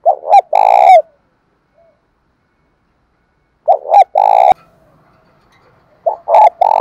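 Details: Male and female spotted dove calls meant to rouse caged training doves: three loud coo phrases, each a quick two-part lead-in and a rough, drawn-out burring note, with pauses between.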